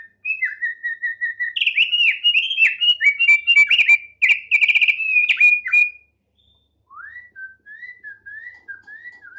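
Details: A tame thick-billed heleia delivers a loud, fast, rattling warble of tightly packed whistled notes for several seconds, falls silent briefly, then resumes with soft, spaced rising-and-falling whistles.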